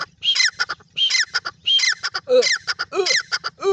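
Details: Francolin, known locally as teetar, giving its loud call. Ringing multi-note phrases repeat roughly every second. Each phrase opens with a high whistle and runs into clipped, harsh notes. Some notes arch down in pitch, with nothing else audible.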